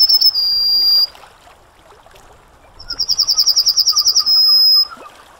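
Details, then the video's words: Yellowhammer song: a long high note ends one phrase, then after a pause comes a fast run of about a dozen repeated notes closing with a drawn-out sustained note. "Yellowhammer Singing (Emberiza citrinella)"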